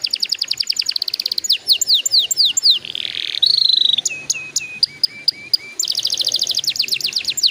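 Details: Lure song of a canary, used to make juvenile canaries start singing sooner: quick high repeated notes and trills, a harsh buzzy burst midway, a run of short level whistles, then another fast trill.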